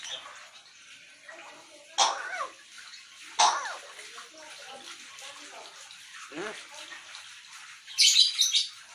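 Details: Grey parrot (Psittacus erithacus) talking: a few brief, voice-like words with sliding pitch, then a harsh burst at the end, over a steady hiss like running water.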